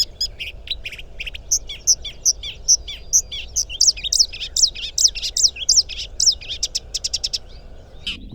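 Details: Marsh Warbler singing in May by a river in Małopolska, Poland, amid a spring chorus of songbirds: a fast, varied stream of chattering notes, buzzy trills and bright whistled phrases, many repeated two or three times, over a soft low hum.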